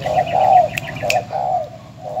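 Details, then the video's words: Decoy spotted dove in Ben Tre, Vietnam, recorded before its sale: a few low drawn-out coos over a steady low hum, with two sharp ticks. "Cu gáy bến tre.Chia tay mồi mỏ công( đã bán)"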